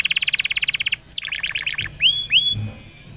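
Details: Canary song played to stimulate young canaries to twitter. A dense rapid trill, then a quick descending run of softer notes and two rising whistles.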